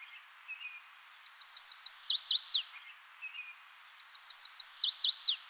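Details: A Chestnut-sided Warbler sings its 'please please pleased to meet you' song twice, about three seconds apart: a run of high, sweet repeated notes ending in a sharp, emphatic down-slurred flourish.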